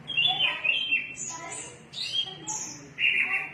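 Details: Energetic orange-headed thrush song: rich mid-high warbled notes mixed with sharp, very high whistled slides, phrases coming in rapid succession, with a faint low background murmur.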